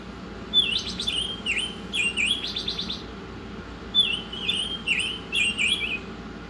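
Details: Rich whistled phrases from an Oriental magpie-robin, some dropping sharply in pitch, interleaved with chattering rattles, in masteran song that pauses briefly midway.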